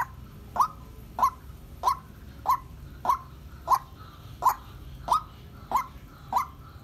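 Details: Female white-breasted waterhen, seven and a half months old, kept as a decoy bird and calling solo: sharp, short clipped notes at a steady pitch, repeated about every 0.6 seconds, eleven in all, over faint background hiss.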